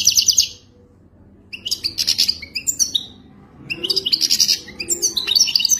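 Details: Moroccan goldfinch performing wadani-style song: three separate bursts of quick, high-pitched tinkling and buzzing twitters, the first brief, the others lasting around two seconds, with short silences between.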